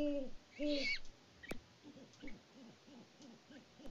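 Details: Great horned owls, a mated pair on a farm live cam in Peabody, Kansas, in February, hoot back and forth. Two loud, deep, short hoots open the clip, followed by a run of fainter, evenly repeated low hoots.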